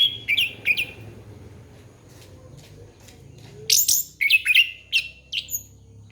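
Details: Song of an orange-headed thrush, used as a lure for young birds: two short whistled notes, a pause, then a rapid string of bright, slurred chirps and squeaks that drop in pitch.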